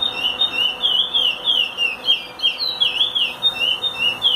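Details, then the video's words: Chestnut-bellied seed finch singing a teaching song: looping, melodious whistles that swoop up and down continuously, clear and loud over a quiet background. "curió canto para ensinar."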